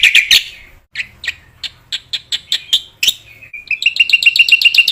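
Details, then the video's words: ['Black-winged myna song meant as material for training other mynas: a few loud squawks, then spaced single chirps about three per second, ending in a rapid rising chatter of high notes.'] "MASTERAN BURUNG JALAK PUTIH GACOR"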